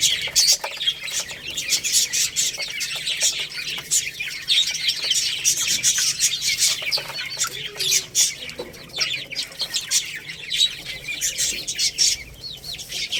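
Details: Growing Lohmann Brown rooster and hen chicks eating rice, chirping in a dense, unbroken high chorus with rapid pecking clicks throughout.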